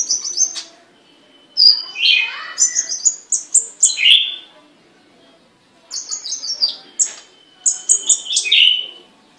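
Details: Songbird in a cage delivering two bouts of high, varied song: quick stuttering trills and sharp notes falling into buzzy whistled phrases, with a quiet gap of about two seconds between bouts.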